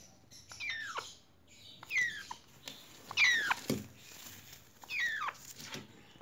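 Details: Congo African grey parrot chicks, four months old, kept as captive babies; four loud harsh descending squawks with rich harmonics, spaced about one to one and a half seconds apart, over faint background rustling.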